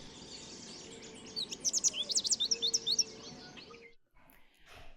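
American Goldfinch singing a quick, high, twittering run of notes that jump up and down in pitch for about two seconds, over a soft background hiss.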